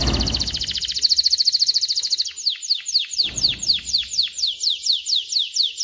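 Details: Canary song meant to train young males to sing and prepare females for mating: a rapid buzzy trill of dense high notes for two seconds, then a steady series of sharp falling whistled notes, roughly three per second, with a little low background noise.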